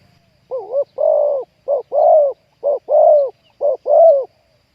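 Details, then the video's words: Wild-caught spotted dove with a deep 'ku-ang' voice, calling as a decoy to lure wild doves into a trap: low, mellow cooing in paired phrases, a short note then a longer rolling coo, repeated about once a second, clean background. "ต่อนกเขาใหญ่ วันนี้จับนกป่าคูอ่างเสียงใหญ่"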